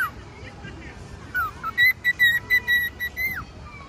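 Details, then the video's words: Pet male cockatiel singing outdoors; a few soft sliding whistles lead into a run of clear, even whistled notes on one pitch, about seven in quick succession, ending in a falling slur, with faint voices in the background. "Cute Cockatiel Singing"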